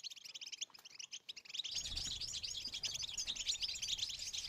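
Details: Goldfinch song offered to stimulate late females for mating; a few scattered chirps at first, then a burst of dense, bright twittering and rolling trills running to the end over a low background rumble.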